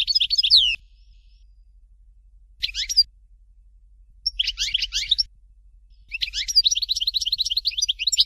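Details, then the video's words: European goldfinch singing in the Dalya "Fort de l'eau" style: bright, rapid twittering phrases of high warbled and sliding notes in bursts separated by short silences, the last burst a longer run of repeated ticking trills. "Chant Chardonneret Dalya Original"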